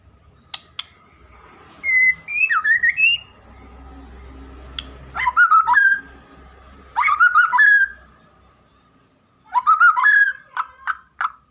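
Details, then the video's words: White-rumped shama singing in separate bursts of rich, fluid whistled phrases, each about a second long and mixed with sharp high notes, set apart by short pauses; a faint low hum underneath. "KICAUAN MURAI BATU INI"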